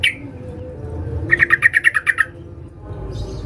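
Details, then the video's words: One sharp note, then a single burst of about eight quick, evenly spaced chirps from a female sooty-headed bulbul calling a male in the rapid 'ngalas' style used as a lure; faint low hum throughout. "Trucuk BETINA Memanggil Jantan NGALAS TAJAM Suara TERCEPAT"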